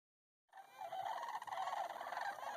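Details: Sandhill crane (Antigone canadensis) resting in a pond near Bosque del Apache, New Mexico, gives a loud, rolling, rattled bugle call that starts abruptly and holds steady for about two seconds.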